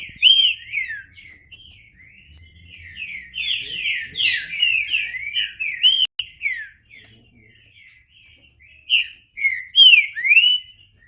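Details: Green-winged saltator pouring out a long, rapid sequence of slurred, warbling whistles, loud at the start, in the middle and again at the end, with short quieter gaps.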